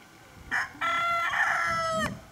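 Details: A white rooster with a red comb crowing in the morning on December 25th, 2016, in a mountain area of Tongshiou Township, Miaoli County, Taiwan, filmed on a handycam: a short opening note, then one long harmonic crow ending abruptly.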